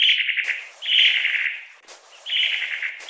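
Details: Long-tailed tit giving harsh, buzzy rattling calls, each phrase about half a second to a second long with a finely pulsed texture, three bursts separated by brief pauses; no other sounds stand out.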